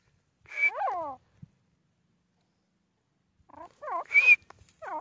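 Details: Grey francolin, known locally as teetar, giving two bursts of harmonic notes that sweep downward in stacked chevrons, each with a thin high whistle on top, separated by about two seconds of silence.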